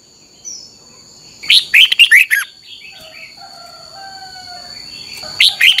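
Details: Red-whiskered bulbul, slow clear 'double' song for training caged birds: a loud rapid run of bouncing whistled notes, then softer, lower drawn-out whistles, and the start of another bright phrase.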